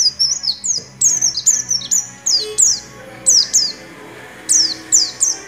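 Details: Oriental white-eye singing energetically in the nagen ngecrok style, its song filled with white-rumped shama phrases: sharp, high, downward-slurred whistles repeated in quick bursts, with short pauses between groups.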